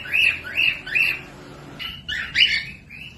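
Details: Cockatiel song for tutoring young or quiet birds: three quick upward-swept chirps, then a pause and a louder cluster of harmonic whistled notes ending in a level whistle.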